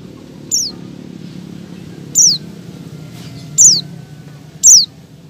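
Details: Female Oriental white-eye in breeding condition calling to draw males: sharp high descending notes, four spaced calls over five seconds with quiet low hum between.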